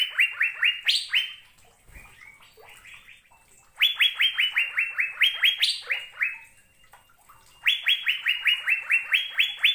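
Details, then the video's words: Asian fairy-bluebird singing three phrases of fast, loud, liquid whistles, notes rising then flattening out, some jumping higher near the phrase end, separated by short quieter gaps. "Burung Sorga Cucak Biru Sedang Bernyanyi Gacor | The Blue Cucak Bird of Heaven is Singing"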